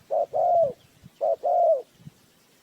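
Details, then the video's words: ['Two cooing phrases from a spotted dove kept as a trapping lure, each a short hooted note leading into a longer, drawn-out coo that slides downward.'] "Tiếng chim cu gáy mồi chuẩn gáy gọi cực hay"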